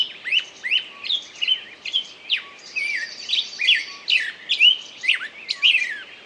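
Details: Bird singing a lively string of short whistled and slurred notes, with a thin high trill running across the middle of the phrase.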